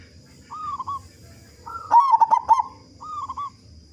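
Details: Local zebra dove with a powerful voice, singing vigorously to prompt other doves to call. A short soft coo, then a loud run of fast bubbling coos, then another soft coo, with a thin steady high tone behind.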